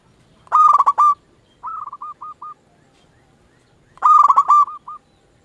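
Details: Zebra dove of local stock singing as a lure for answering doves: a fast stuttering cooing phrase, a brief run of four spaced softer coos, then another full phrase.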